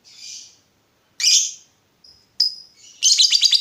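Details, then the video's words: Lovebird, a lure to get other lovebirds answering; a soft buzz, a harsh squawk, a thin whistle-like note, then a rapid chattering burst at the end. "Pancingan Lovebird Gacor Burung Lakbet apapun pasti Nyaut Ngekek"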